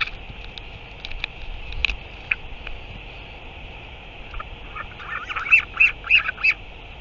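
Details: Northern royal albatross, recorded 9 September 2023, gives a quick run of four or five harsh, honking calls near the end, after scattered faint squawks over a steady hiss of wind.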